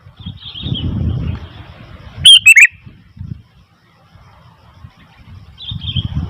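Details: A single loud burst of rapid, slurred chirps from a noisy Sooty-headed bulbul stands mid-clip. Low rumbling background noise comes before and after it.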